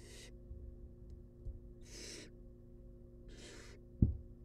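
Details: Wild barn owl chicks in a monitored nest box, being fed, give three harsh, breathy hissing snores spaced about one and a half seconds apart, ending with a sharp knock, over a steady low hum.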